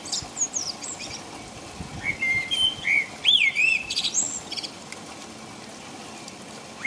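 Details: Common blackbird's song in rain in the middle of the night, England; clear, rolling whistles rise and fall in a two-second phrase, trailing off into a thin high squeal, then rain alone.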